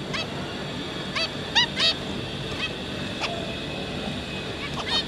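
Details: Zebra finches, a pair with their three juveniles, recorded 5 August 2022, give short, nasal, toy-trumpet-like honks, singly or in quick pairs, about eight times in five seconds over a steady background hiss.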